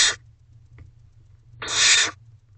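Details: Nest box of barn owl owlets at 10:56 pm, 3 May 2023, siblings leaving one chick to eat its mouse; a hiss cut off at the start, a faint click, then a full rasping hiss.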